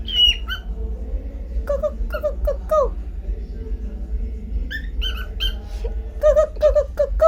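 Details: Cockatiel kept as a pet talks in quick clipped syllables, descending squawky notes in short groups, a pause, then more rapid repeated chirpy phrases toward the end, all over a persistent low-pitched hum.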